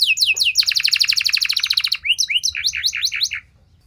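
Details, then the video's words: Canary song played as a lure to make other canaries answer and sing long phrases. Opens with quick falling slurred notes, then a dense buzzy trill of rapid repeated notes, ending in a series of rising, bouncing whistles. "Cukup Putar 10 Detik! Kenari Mana Saja Bakal Nyaut Cepat Respon Jadi Gacor Nembak Panjang"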